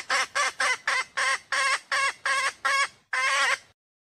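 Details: Female red junglefowl in the wild calling with about nine loud, nasal clucks, spaced irregularly, the final note longer and drawn out, then silence.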